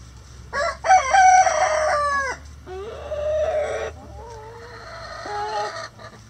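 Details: Crowing rooster in a chicken coop: a long, loud, strained crow of about one and a half seconds ending in a drop, followed by a softer second call and several short, wavering, lower clucking notes.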